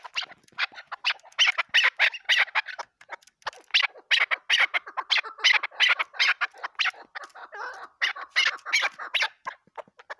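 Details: Desi cross chukar partridge hen used as a hunting decoy keeps up fast, scratchy chattering notes in irregular clusters, nearly three per second, rising and falling in loudness throughout.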